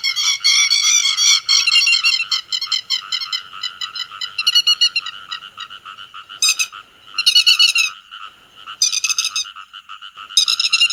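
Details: Grey-headed lapwing calls meant to gather the flock, a lure recording for netting: loud, grating, rapidly pulsed notes in a long continuous stream, then breaking into separate sharp bursts roughly every second or two.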